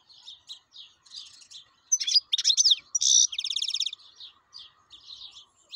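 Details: Wild European goldfinch singing: soft twitters build into loud liquid phrases and a fast buzzy trill of evenly repeated notes, then fade back to light chatter.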